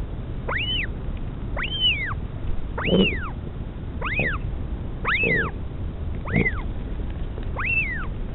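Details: Pukekura/Taiaroa Head near Dunedin, New Zealand, 2016, a northern royal albatross mother feeds her chick on nest camera: seven arched whistled squeals at roughly one per second, several paired with short low grunts, amid wind rumble.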